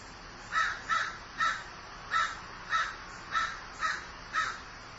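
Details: Crow calling while grieving: eight rasping caws at a fairly even, unhurried pace over five seconds, each note short and hoarse, with quiet background noise between calls.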